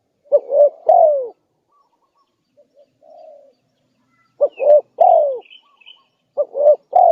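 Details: Spotted dove lure call, three-part cooing phrases repeated about every two seconds: two short hoots then a long falling coo, with faint high chirps of another bird in the background.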